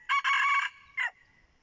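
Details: Red junglefowl rooster used as a decoy, giving a loud, harsh crow: a short opening note, a long buzzy held syllable, then a brief falling tail note after a pause, in quiet surroundings.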